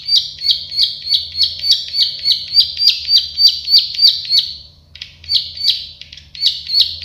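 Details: Plain prinia song, local name prenjak sawah or klik-klik: a long string of buzzy, regularly spaced ticking notes, a short pause around the fifth second, then further rapid ticks.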